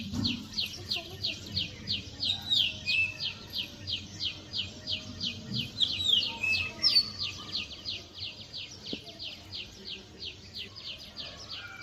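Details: Birds chirping in a forest on a rainy day: a fast, steady run of high, sharp notes, about three each second, over a soft hiss of rain.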